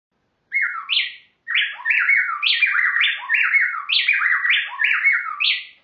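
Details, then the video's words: A pair of wrens duetting: loud, rapid whistled phrases that interlock and overlap, dropping and rising in a tight, unbroken run for about five seconds; wrens' brains are wired for duets. "Wrens' Brains Are Wired for Duets"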